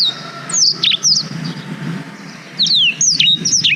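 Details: Black-throated canary, kept as a tutor bird for canaries, caught on a GoPro Hero 5: two short bursts of high, sharply slurred whistles separated by a quiet gap of about a second and a half.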